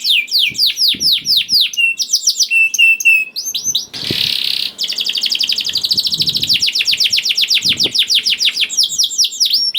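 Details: Juvenile canary lure song for canaries that rarely sing: varied down-slurred whistles and chips, a brief burst of broad hissing noise, then a long fast trill of repeated notes with faint thumps beneath.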